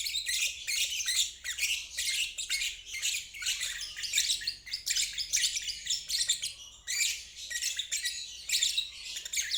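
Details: Lovebird ngeriwik trilling for training stalled and young birds. Fast, raspy, high chattering phrases follow one another closely, with a clearer pause near seven seconds.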